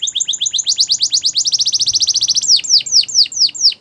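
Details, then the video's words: Yellow canary singing in the morning: rapid trills of short down-slurred high notes, about ten per second, slowing after two seconds into louder, wider descending sweeps repeated several times a second. "Yellow Canary Singing In The Morning"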